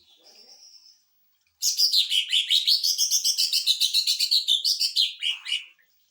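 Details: Greater green leafbird, 'sewing machine' style song used as a tutor and to provoke other birds: a faint thin whistle, a pause, then a rapid four-second volley of around twenty clipped, scratchy notes ending in lower, slurred notes.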